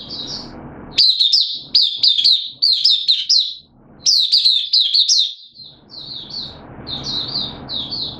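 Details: Oriental white-eye kept as a song hobby bird, singing in September 2022. Dense runs of bright, high chirped notes repeat rapidly in two long phrases, followed by quieter twitters.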